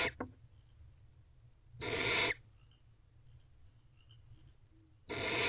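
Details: Very hungry barn owl owlets, too young to tear prey, begging as their mother feeds them in nest box C late at night, April 2023: two full harsh hissing screeches about three seconds apart, faint rustling in between.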